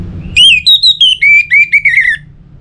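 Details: Orange-headed thrush song, played to encourage other birds to sing. One clear phrase of about nine sweet whistled notes; the opening notes are pitched higher and the later ones step slightly lower. The background is quiet.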